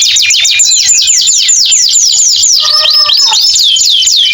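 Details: Canary in the long, continuous 'gacor' singing style, played to lure canaries that stopped singing after molting. Rapid high descending sweeps repeat in a dense run, then a brief lower warbled passage, then more fast sweeps.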